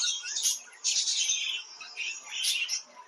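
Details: Short burst of budgerigar warbling, several loud buzzy chirps and squeaky phrases in quick succession.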